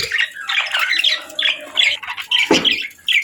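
A budgerigar chatters in quick, scratchy warbles and squeaky chirps, with a harsher burst midway, in a small indoor space.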